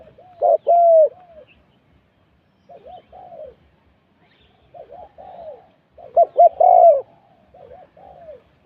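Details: Spotted dove used as a decoy in a Thai morning luring session, giving loud paired coos in two bursts separated by softer distant wavering cooing and pauses.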